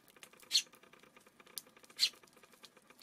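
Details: Four quick, harsh chirps in three seconds from a Eurasian tree sparrow, heard on an early June afternoon with a low, even hum underneath.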